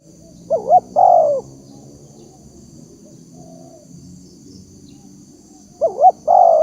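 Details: Spotted dove cooing as a lure sound: one short burst of two quick wavering notes and a drawn-out coo, then a long pause with faint low background murmur and a steady high hiss, before the phrase repeats at the end.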